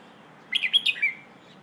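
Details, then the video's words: A single quick phrase from a Red-whiskered bulbul singing the 'Hoh' song style for training young birds: five bright, slurred notes rising and dropping, ending in a slightly lower drawn-out note. "เพลงโห่ เสียงฝึกร้องนกกรงหัวจุก"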